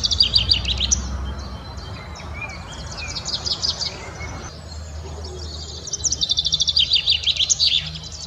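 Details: Common Chaffinch singing in spring, its melodious cascading phrase: a run of rapid repeated high notes opening the clip, a quieter stretch with thin whistles, then another fast descending trill of repeated notes near the end; low background hum.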